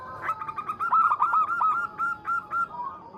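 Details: A local zebra dove challenges a rival with a fast, continuous stream of mellow cooing notes at a level pitch. The notes are briefly louder mid-phrase, then slow into spaced coos.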